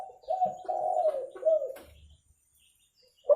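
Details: Spotted dove recording meant for bird luring: a rolling, low coo phrase lasting nearly two seconds, a faint low thump, silence, then the start of a loud new coo.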